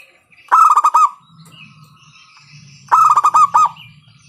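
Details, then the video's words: A local zebra dove with a loud voice, used to prompt other doves into song, gives two quick staccato cooing phrases several seconds apart over a faint low hum. "PANCINGAN PERKUTUT LOKAL SUARA KERAS, bikin pada manggung."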